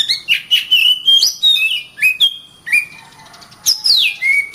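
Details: Oriental magpie-robin singing gacor: rapid chirps and clear whistles in stepped runs, a softer lull after the middle, then a strong high note sliding downward.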